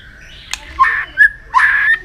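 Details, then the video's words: Short white-rumped shama training song passage: a click, then two rough, buzzy phrases split by a bright upslurred whistle. "luyện chòe hót nhiều giọng.kích chòe lửa hót nhanh căng"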